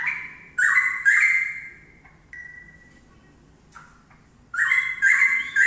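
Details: Straw-headed bulbul giving loud, fluty song: an explosive bubbling phrase opens, followed by a quieter lone whistle and scattered soft notes, then a second powerful liquid warble at the end.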